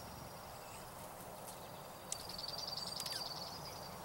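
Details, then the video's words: Junco dealing with mid-April snow alongside other birds: a single high, evenly pulsed trill of rapid notes lasts about a second and a half over soft background hiss. "Juncos And Others Deal With Mid-April Snow"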